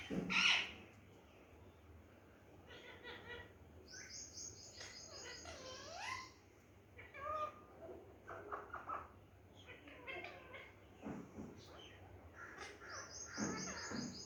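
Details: Pet parrot talking and saying its name: scattered speech-like phrases and harmonic syllables mixed with sharp high whistled chirps, clusters around four to six seconds and near the end, faint and indoors with quiet background hum.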